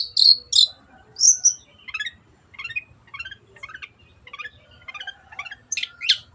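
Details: Long-tailed shrike singing, recorded clearly as a model for other birds: a few loud, high chirps, then a long series of softer, twittering scratchy notes, ending in two sharp rising calls.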